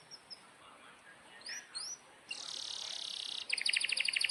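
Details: Canary song in a compilation of loud, long-rolling singing used to tutor young canaries: a few thin rising whistles, then a dense buzzy high trill and rapid repeated chirps.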